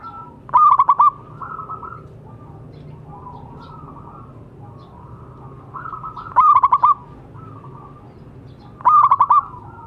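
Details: Local zebra dove calling to encourage other doves to sing: three bright stuttered phrases of quick pulsed notes, separated by soft, level, purring coos.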